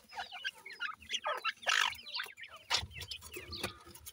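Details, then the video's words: Grey francolin chicks peep busily while feeding and playing, with bursts of high chirps mixed with sharp pecking clicks and scuffling noises close by. "grey francolin chicks fedeeing and playing"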